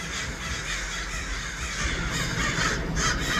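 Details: A large group of crows in Los Angeles caws continuously, the harsh calls overlapping and growing louder toward the end over a steady low hum.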